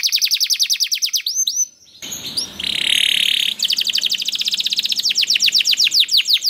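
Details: Canary singing as a lure for other canaries: quick falling whistled notes in a rolling trill, a short pause, a harsh buzzy stretch, then a long rapid trill of repeated notes.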